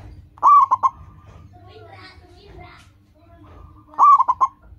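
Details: Local zebra dove (perkutut), a lively singer used as a lure to train other zebra doves to sing, gives two cooing phrases. Each is a long ringing note followed by two or three short clipped notes, separated by a few seconds of quiet hum.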